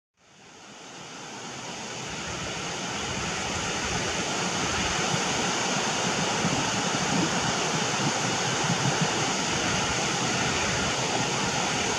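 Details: Steady rushing noise like falling water or surf swells up and fills the clip, with no animal calls heard.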